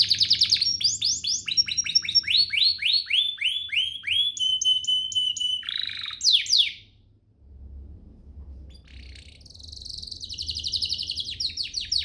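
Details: A domestic canary (Serinus canaria domestica), used as a lure to get other canaries singing, sings fast bright rolling phrases of high sweeping notes and a steady whistled trill, pauses briefly, then resumes with a buzzy high warble.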